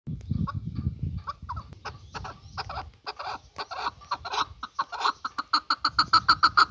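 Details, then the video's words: Male chukar partridge calling: a low rumble opens, then a run of sharp clucking notes that speeds up into a fast, even, ringing chatter by the end. "Kınalı erkek keklik sesi"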